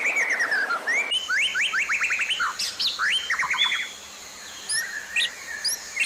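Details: White-rumped shama song compiled as training material for caged birds: bursts of rapid upslurred whistles in quick series, several short rising phrases, then sparser high notes over a faint hum.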